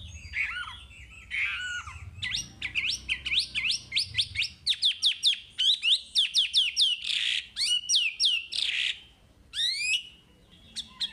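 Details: Chinese hwamei song for training caged birds: a long, fast run of sharp rising whistles and quick trills, many notes in rapid succession, with brief harsher bursts and short pauses.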